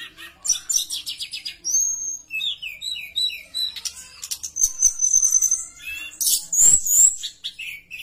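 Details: Javan bush lark in vigorous, persistent song, used as a lure to prompt other bush larks to sing: rapid high chirps, buzzy trills and sweeping whistled notes in quick irregular bursts, with one long thin whistle near the end.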